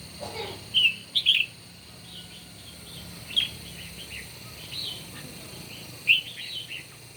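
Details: Red-whiskered bulbul in a morning singing contest: short bright whistled notes and brief chirpy phrases, spaced irregularly, over a steady faint hiss and a low background hum.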